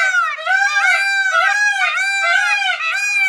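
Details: Continuous, loud yelling from an Indian blue peacock, a dense wavering cry with strong overtones that rises and falls in quick pulses for over three seconds without a break.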